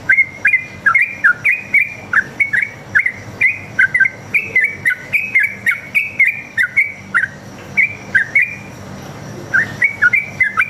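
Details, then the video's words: Sooty-headed bulbul singing a long continuous line, used to make other birds respond: cheerful bubbling whistled notes in steady quick succession, each bending up and down, pausing briefly near the end before resuming. "PANCINGAN trucuk gacor ngalas tarung ropel ini paling ampuh buat masteran trucuk agar nyaut bunyi"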